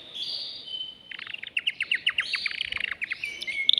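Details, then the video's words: Caged male canary singing to excite a female for mating and to train chicks. Short whistled notes give way to a run of separate downward-slurred chirps over a noticeable hiss of background noise. "تغريد ذكر كناري هائج يريد تكسير القفص يحفز الأنثي لتزاوج"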